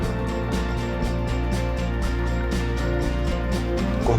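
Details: Steady instrumental music with a deep bass line and regular beats, with no animal voice.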